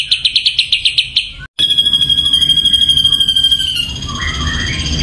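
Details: Ashy drongo singing: a run of about a dozen sharp, evenly spaced high chips, a brief break, then a long buzzy, rattling trill held on one high pitch for about two seconds before lower notes enter.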